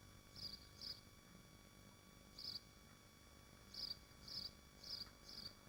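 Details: Nesting common swifts at Machynlleth, Dyfi Biosphere, Wales, on a nest livestream give short, thin, high screams, seven brief bursts at uneven intervals over a faint steady hum.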